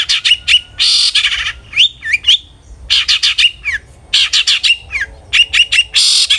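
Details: Long-tailed shrike, used to coax other shrikes into song, delivering clipped rapid notes, buzzy rasps and slurred whistles that bend up and down in quick phrases.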